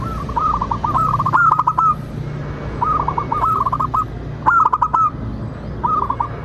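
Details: Local zebra dove in full song, played to coax other doves into singing and answering: a trilling string of short, curved cooing notes, then pauses and renewed phrases, with sharp clicks and a low rumbling hum.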